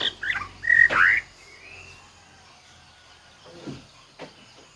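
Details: White-rumped shama giving a loud burst of rich whistled and slurred notes, then a fading whistle and quiet faint clicks.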